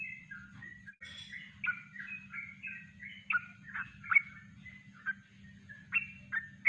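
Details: Natural kongslet song from a yellow-vented bulbul, recorded as a master for training birds; softer, scattered warbling notes with a few louder, sharper chips toward the end, over a steady low electrical hum.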